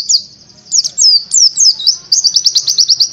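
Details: Buxtoni Oriental white-eye singing a masteran tutor song for songbird training. Scattered bright slurred chirps become a fast, even trill of high repeated notes. A soft low murmur sits in the background.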